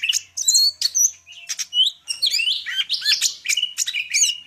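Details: Rich flowing song of a greater green leafbird from Medan, a near-continuous mix of whistles, twittering chirps and slurred buzzy notes.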